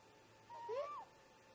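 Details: A single close overlapping exchange from great grey owl parents at their snag nest in the early morning: a short rising whoop laid against a longer gently arching wail, with a faint steady hum.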